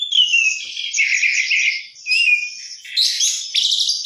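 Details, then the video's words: Energetic oriental magpie-robin 'gacor' song with 'isian' fill-in phrases: a clear rising whistle opens into scratchy, buzzy chattering, then a short gap and bursts of high rasping notes. "kacer gacor isian mewah"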